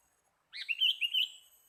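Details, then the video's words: Sooty-headed bulbul sound used to lure birds: a single short bubbly, warbling phrase of quick rising and falling notes, lasting about a second, in otherwise quiet surroundings. "MIKAT BURUNG KUTILANG PALING SERU"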